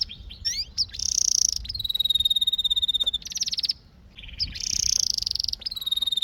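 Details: Canary song alternating quick upswept chirps, buzzy rolls and long fast trills of repeated high notes, with a short silent break midway.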